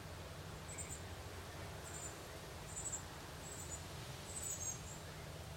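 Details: A Northern Cardinal fledgling begs while being fed by its mother, giving thin, very high, short notes repeated about once a second, over a steady low rumble of background noise.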